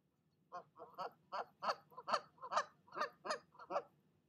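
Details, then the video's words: Nesting goose cursing out a departed rival goose with a fast, regular series of coarse honks, about two to three each second, after a brief silence. "Mama Goose does NOT like visitors, and she'll let you know it!"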